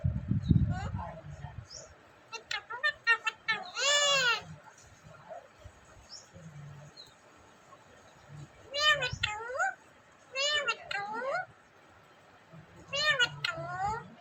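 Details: Talking rose-ringed parakeet kept in Vehari, Punjab, Pakistan: bursts of speech-like chatter with sweeping, bending tones and a few shrill rising notes, in three main spells separated by pauses, over a low rumbling background hum.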